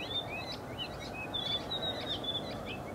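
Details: White-browed woodswallows in Australia give a steady stream of short, high chirps and brief slurred notes, overlapping as if from several birds, over a constant outdoor hiss.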